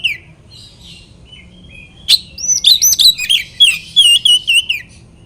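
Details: Kacer, the oriental magpie-robin, singing to anger and provoke rivals: soft slurred notes, then a loud burst of rapid rising and falling whistles and warbled phrases, high and fast.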